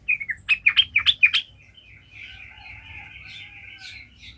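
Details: Sooty-headed bulbul in lively song, offered as a lure to make other bulbuls sing: five or six loud, sharp chirping notes in a fast cluster, then a soft, continuous twittering warble.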